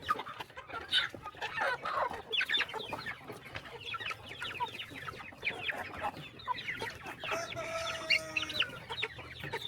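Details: Flock of chickens being fed in the morning on a small countryside farm, dense high-pitched chirping and clucking from many birds at once, with a brief harmonic call near the end.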